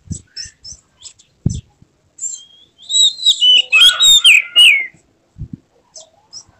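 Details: White-rumped shama in an emotional display with tail spread: scattered high clicks and chirps with low knocks, then a two-second loud burst of tumbling whistled and buzzy notes, then clicks again.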